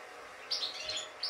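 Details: A European goldfinch described as a good singer gives a quick burst of high, bright, tinkling notes, then one more sharp note after a short pause, over a faint steady hiss.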